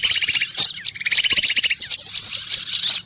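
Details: Loud lure recording for attracting small birds: dense layered high chirping with rapid repeated ticking notes and thin whistled phrases, several birds calling at once almost without pause.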